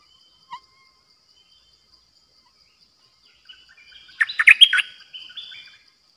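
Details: Song of a caged Streak-eared bulbul kept as a new decoy bird, 6 May 2022: one short note, a long quiet gap, then a dense burst of rapid clustered chirps and a softer tail.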